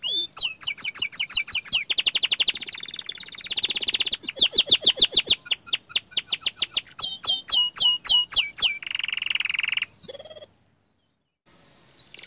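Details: Young canary, small standard type, in full energetic song: fast rolling trills, rising and falling whistled sweeps and sharp chips in quick series, a dense buzzy roll near the end, then brief silence.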